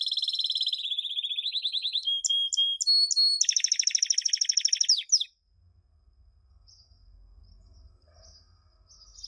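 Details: Canary song for tutoring chicks: a fast rolling trill, a few clipped notes with a held whistle, then a dense buzzy tour that stops after about five seconds, leaving faint background hum and quiet.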